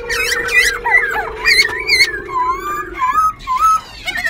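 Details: Singing caged white-browed laughingthrush in Tân Túc, Bình Chánh, Ho Chi Minh City, constantly changing its voice as it dances; sharp rising and falling whistles and slurred warbled notes above a brief steady low hum.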